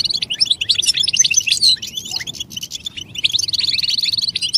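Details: Goldfinch mating calls used as singing stimulation for males: a lively jumble of sharp high chirps and twitters, ending in a rapid repeated buzzy trill.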